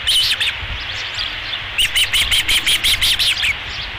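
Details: Osprey at a ranch nest during a fish delivery, recorded in July 2016: a series of high, sharp chirping whistles repeated about three times a second, over steady broadband background hiss.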